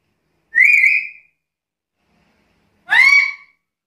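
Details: Black-capped lory giving two loud, harsh, slightly rising whistled calls, each about half a second long and roughly two seconds apart, in silence.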